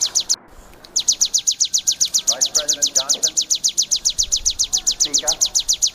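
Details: Bar-winged prinia (ciblek sawah, pari) singing the 'kristal' style, a fierce 'tembakan' burst used as a master recording for songbirds: a fast, very regular train of high, sharp ticking notes, about six per second, after a brief pause, with faint voices beneath.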